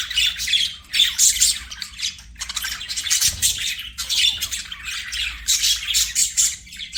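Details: Pet budgies chattering and singing as they play, a continuous stream of harsh squawks, rasping warbles and high chirps rising and falling in uneven bursts, several birds calling over one another.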